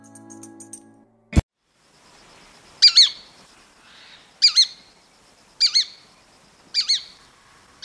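Shikra giving four sharp, high, squealing two-part calls, spaced about one to one and a half seconds apart; faint music and a click come before them.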